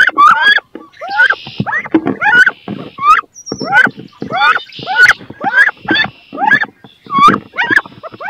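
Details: Two wood duck females contest one nest box, both set on laying in it: a steady stream of short rising squeals, roughly one every half second, over scuffling knocks and occasional rough hissing bursts.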